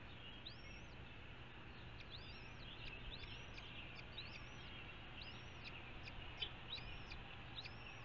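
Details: Red-shouldered hawk near Ithaca, New York, giving a run of about eight thin, high, arched calls spaced roughly a second apart, distant against constant low traffic noise.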